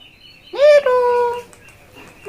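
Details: Talking parakeet kept for sale at the Mirpur 1 bird market, giving a single loud harmonic sound that climbs quickly then holds steady for nearly a second; owner's voice urging it to speak before and after.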